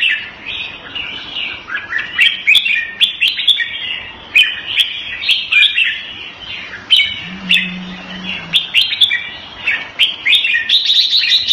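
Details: Red-whiskered bulbul kept in a cage Thai style in Singapore, February 2018, giving a long stream of cheerful warbled phrases and crisp ticks, with a faint low hum partway through.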